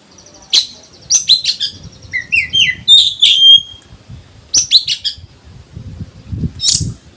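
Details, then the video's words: Oriental magpie-robin singing in the konslet style, said to rouse other birds into agitation: bright whistled notes and sharp upslurred chirps in bursts, with a run of rising slurred whistles in the middle and short pauses between phrases. "kacer konslet ini mampu mendongkrak burung lain agar ikut emosi"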